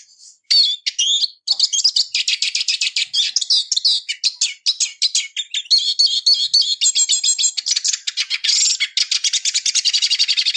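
A Eurasian siskin sings a fast, continuous twittering song of high chirps, trills and buzzy notes, barely pausing for ten seconds.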